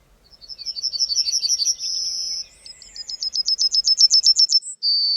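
Yellowhammer song: a fast, dry series of about a dozen short high notes that ends in a long, drawn-out note. The phrase is given twice, with no other sounds.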